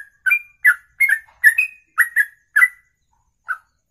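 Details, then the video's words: Bird performing the ropelan song style, famed for lasting over two minutes without a breath: loud paired whistled chirps at an uneven pace, some rising to a sharp high note, ending with a single isolated chirp. "Inilah Ropelan Sekali Nafas 2 menit lebih"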